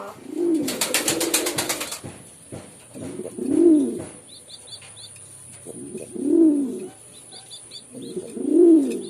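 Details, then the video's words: Pigeons cooing: deep rounded coos that rise and fall, spaced two to three seconds apart, with a burst of wing flapping near the start. "Pigeon Sound || Different Different Pigeon Sound effect"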